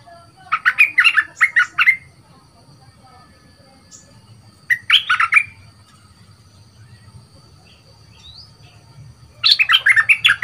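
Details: Young caged bulbul (cage age about two months), named as having a big voice and being trained, gives three bursts of rich, bubbling warbled phrases a few seconds apart, with a low steady hum and a faint thin tone behind.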